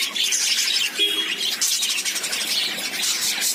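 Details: Lovebirds chatter in shrill, rapid chirps, several birds at once, with one short clearer whistled note standing out about a second in amid the constant squeaking.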